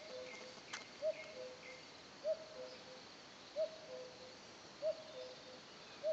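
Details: Common cuckoo calling in tranquil countryside of the Lot, France: five regular cu-coo phrases, high then lower note, about one and a quarter seconds apart, with scattered thin bird chirps in the background.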